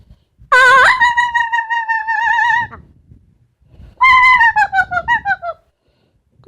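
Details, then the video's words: Pet female Amazon parrot vocalizing at home: a loud rising whistle with strong harmonics held wavering, then a second descending warbled whistle breaking into rapid pulsed notes, while her owner praises her. "The many sounds of Lily, an amazon parrot"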